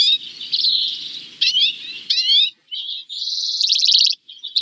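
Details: Common redpoll, a male and a winter visitor from the far north, recently arrived at feeders in northern New York, giving buzzy, chattering calls and rising twittered notes, high-pitched and irregular, with a low background murmur at the start.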